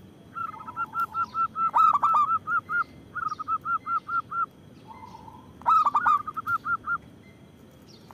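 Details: A loud local zebra dove, used to draw in and stir other doves to sing. Long runs of short, evenly spaced clear notes are broken by two bursts of deep, hooked coos, with a brief low trill in between.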